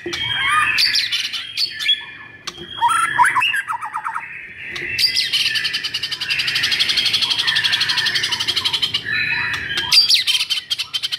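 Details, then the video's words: White-rumped shama singing aggressively to stimulate mute shamas: varied whistles and harsh chatter, then a long sustained rapid buzzy rattle, closing with high sharp calls. "MURAI BATU GACOR NGAMUK .. AMPUUH BUAT PANCINGAN MURAI BISU"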